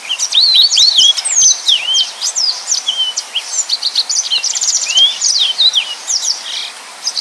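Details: Yellow-fronted canary, a busy singer used to tutor other cage birds, sings continuously: rapid high up-and-down whistled notes mixed with brief buzzy trills.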